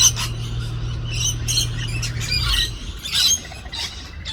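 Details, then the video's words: Parrots fighting in Australia, outdoors, giving harsh, grating squawks in irregular bursts, with a steady low hum through the first half. "Parrots fighting in Australia."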